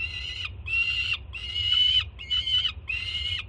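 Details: Juvenile peregrine falcon on a Jersey City nest cam, 24 June 2017, screaming loudly as its mother arrives with breakfast. Five harsh, rasping screams, each about half a second long, follow in quick succession over a steady low hum.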